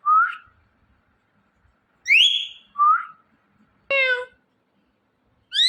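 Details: Indian ringneck parrot chirping: sharp rising whistles at two pitches, plus one harsher harmonic-rich squawk-like note, separated by quiet gaps.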